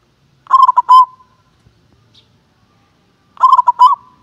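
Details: Local zebra dove, frequent contest champion, in contest-class calling: two phrases about three seconds apart, each several fast short notes ending in a longer tone, with silence between.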